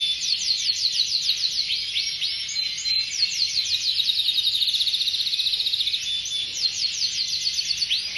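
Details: Canary singing a continuous, high, bright song of fast rattling trills and rapidly repeated sweeping notes, with a faint steady high hiss running throughout.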